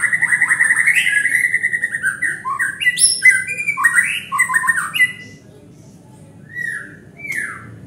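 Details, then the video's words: White-rumped shama provoked into song, delivering a rich run of varied whistled notes, chirps and rapid twittering phrases for five seconds, then a pause and two short rising-falling whistles; faint low background hum. "Murai Batu Memancing Bunyi"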